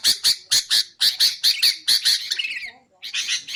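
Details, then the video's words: Sooty-headed bulbul, used for luring bulbuls and training songbirds. A run of evenly spaced harsh notes ends in a falling slurred phrase, then a brief pause and another rough burst. "BURUNG KUTILANG untuk ocehan mantab"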